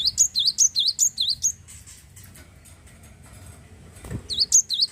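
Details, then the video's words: Glatik wingko, a prolific Java sparrow, singing to rouse other birds: fast, regular series of high, ringing, V-shaped chirps, a pause with soft rustling, then the chirps resume. "glatik wingko gacor mampu merangsang burung glatik anda jadi bunyi"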